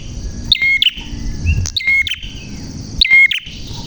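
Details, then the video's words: Bar-winged prinia delivering bright, descending whistled notes with crisp clicks, repeated at irregular intervals of one to one and a half seconds, with some low background rumble. "Burung Prenjak Gacor Suara JERNIH"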